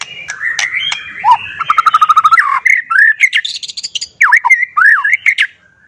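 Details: White-rumped shama song meant to rouse and provoke other shamas into answering and unloading their full repertoire: a varied run of sharp clear whistles, slurred rising and falling notes and a fast chattering trill, with brief pauses between phrases.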